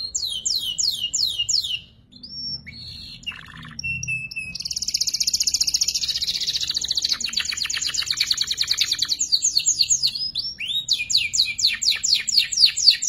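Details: Juvenile canary learning to sing ngeriwik, a tutor recording for shamas and magpie robins: series of downward-swept whistles, scattered chirps, then a long buzzy rolling trill and a return to repeated descending sweeps.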